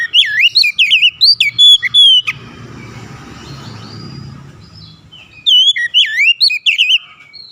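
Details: Oriental magpie-robin (kacer) singing a compilation of beautiful chirps: loud, rapid whistled phrases with sweeping and looping notes, a burst in the first two seconds, a quiet gap with low rumbling noise, then the song resumes near the end.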